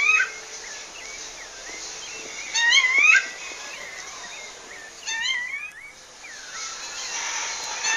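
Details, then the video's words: Wild female rufous-bellied thrush in Pernambuco, Brazil, calling a male: two rising whistled calls mixed with frequent short curved chirps from other birds and some background hiss. "FÊMEA DE SABIA LARANJEIRA CHAMANDO MACHO NA NATUREZA"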